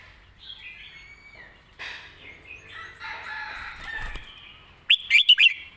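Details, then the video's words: Master-style song of a red-whiskered bulbul with fine phrasing: a jumble of warbling and chirping birds, then one loud, snappy four-note phrase closing the recording. "นกกรงหัวจุก"เพลงแม่บท เดินสำนวนสวย"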